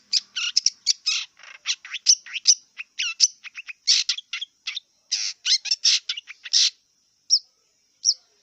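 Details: Song of a wild long-tailed shrike: rapid, jumbled chatter of scratchy notes and thin whistles packed tightly together, easing into a few spaced calls near the end, against a constant high hum.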